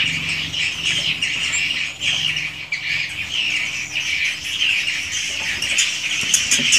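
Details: Swiftlets in a swiftlet house, an original unedited recording of calling and roosting sounds: dense overlapping high chirps and twitters from many birds, continuous throughout, with a faint steady low hum beneath.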